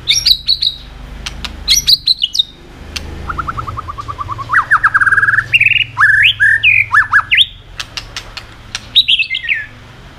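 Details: White-rumped shama in vigorous song with continuous 'tạch' clicking, meant to rouse subdued birds: high whistled phrases, a rising staccato trill of quick repeated notes, then loud varied warbles, interspersed with crisp clicks.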